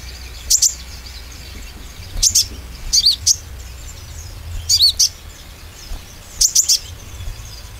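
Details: Oriental white-eye lure recording meant to make young and green-plumaged birds sing with confidence: short, sharp, high chirps in pairs and triplets, spaced a second or more apart, over a low steady background hum.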